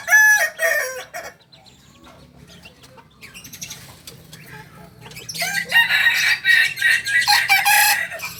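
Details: Young Kokok Balenggek rooster, two months old, of the singing chicken breed from Solok, West Sumatra. A short crow opens, a quiet stretch follows, then a long, loud, broken series of crow notes.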